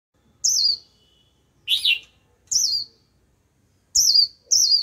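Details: White-eye used as a decoy to lure a wild flock: five separate high, thin chirps, each sliding downward, spaced irregularly across about five seconds, with one lower, fuller note in between.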